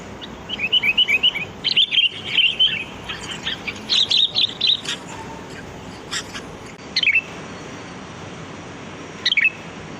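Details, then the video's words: Wild sooty-headed bulbul in the open, a lure recording used to attract birds: rapid bursts of short, bright chirping notes in quick series, then scattered single chirps with quiet gaps; faint rural background. "Suara pikat burung kutilang || Kutilang Gacor"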